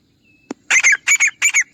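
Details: Grey francolin: a soft click, then three paired, shrill, squeaky notes in quick succession, forming a rhythmic repeated phrase.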